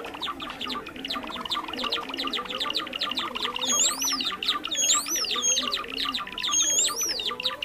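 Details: Java sparrow calls used as a trapping lure, a bird often found in rice fields and farmland: dense high chattering of many short chips, with bright arched whistles rising and falling, repeated about once a second in the second half.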